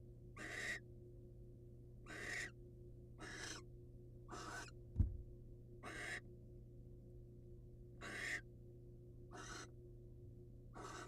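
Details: Wild barn owls, a male presenting his caught prey to a patient female: about nine harsh, hissing screeches, each under half a second, repeated every one to two seconds over a steady low hum, with one sharp knock midway.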